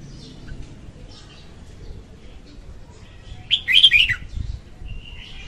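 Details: Female red-whiskered bulbul singing, a recording used to lure birds for trapping; one short burst of warbled, slurred notes around the middle, preceded by faint soft chirps.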